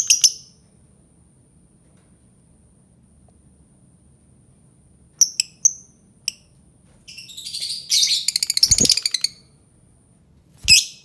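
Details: Albino lovebird giving sharp, high squeaky chirps in scattered bursts, then a rapid chattering run of harsh notes near the end, with quiet gaps between.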